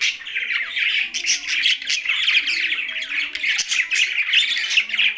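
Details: Captive budgerigars kept together with a parrot in Larkana, Sindh; dense, continuous chirping and warbling chatter from several birds, busy twittering notes overlapping throughout with a few harsher squawks.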